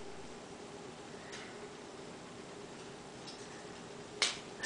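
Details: Steady room hiss and a low hum with a few faint clicks and one sharp snap near the end; no clear animal voice.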